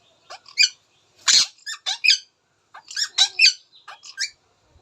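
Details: Indian ringneck parakeet chattering in quick, squeaky, word-like phrases, two dense bursts of bright high-pitched syllables with varying inflection, separated by a short pause.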